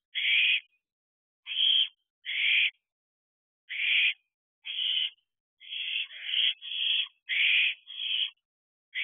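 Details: Owlets, siblings together on a perch in an owl box at night, 2:43 am on 30 June 2023; a series of harsh, hissing screech-like bursts about half a second long, irregularly spaced, some overlapping in quick runs toward the end.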